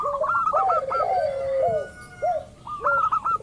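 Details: Local zebra dove lure call to draw rivals into calling: several arching coos in quick succession, a sliding note, a pause, then another arched coo among sharp higher chirps.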